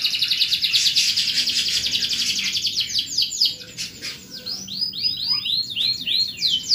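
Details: A canary's masteran song for training other birds: loud buzzy rolling trill first, then a string of clear descending swept notes repeated about three per second.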